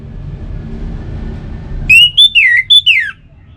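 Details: Orange-headed thrush phrase used to coax caged birds into song: five loud whistled notes, a level tone, a downslurred whistle and a final falling slur, over faint low rumble.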